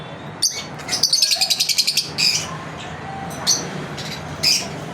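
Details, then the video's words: Lovebirds chirping as part of a daily routine, with a rapid run of high buzzy pulses followed by scattered sharp chirps and short squeaks over a steady background hum. "Lovebirds Chirping Video Daily routine"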